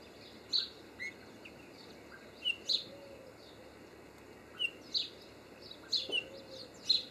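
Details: European greenfinch recorded in Cornwall giving short, sharp high chirps, mostly in pairs, spaced a second or more apart against a quiet background hiss.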